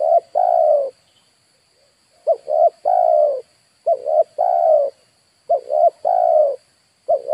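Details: Lure call of a spotted dove for attracting wild birds: repeated phrases of two quick coos followed by a longer sliding coo, about five phrases with short pauses, over a faint steady electronic hum.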